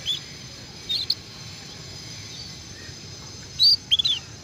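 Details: Early twittering of a young canary still learning its song: a couple of brief high chirps, a pause, then a louder cluster of sharp, piercing notes near the end against quiet, steady background hiss.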